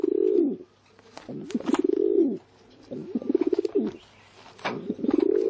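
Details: Pigeon calling in throaty, pulsing coos, four rolling phrases close together with short pauses, each swelling and dropping in pitch, a low hum beneath.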